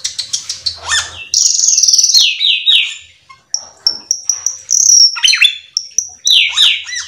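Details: Lively cucak keling song meant to coax other cucak keling into singing: rapid repeated downslurred chips, high thin whistles and a fast trilled run, varied and continuous.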